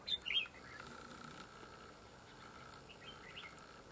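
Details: Red-whiskered bulbul at a fight trap with a decoy: one short, bright warbled phrase of quick rising and falling notes opens the clip, then only faint chirps over a steady background tone.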